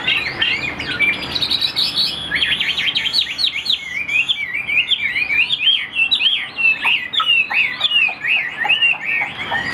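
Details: Caged Chinese hwamei, noted for quick delivery and a fine voice, giving a long energetic song of fast, jumbled whistles and sharp slurred notes, tumbling rapidly with barely a break for nearly ten seconds.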